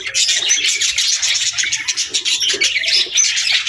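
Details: Busy afternoon chirping of budgerigars, many quick high twitters and squeaks run together with occasional clear whistled notes.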